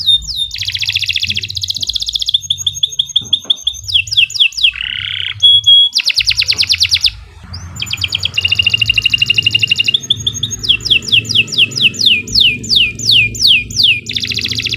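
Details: Canary in extended, energetic song for use as a tutor: alternating buzzy rolling trills, rapid chip series, a low harsh burst and repeated sweeping whistles, continuing almost without pause.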